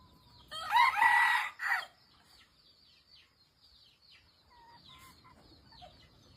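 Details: Red junglefowl crowing: one loud, harsh, broken crow lasting about a second and a half, then a short trailing note. Faint chirping birds and insect buzz continue quietly in the background afterwards.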